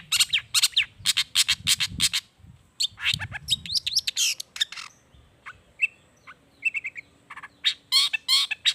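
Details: Long-tailed shrike in energetic song with natural mimicked phrases, aimed at making silent shrikes answer; fast bursts of harsh rasping notes, then quieter scattered chirps and short whistles, before loud harsh chatter returns.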